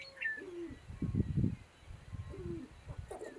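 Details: Sharp-tailed grouse calling at a lek: repeated low, rough, throaty bursts, with short whining slurred notes and faint high chirps in between.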